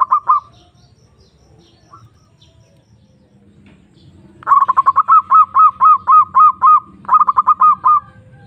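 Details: Zebra dove (perkutut) calling a rival, a lure to raise breeding desire: a brief burst of coos, a quiet gap, then a long run of staccato notes becoming hooked, rising coos, ending in another quick burst.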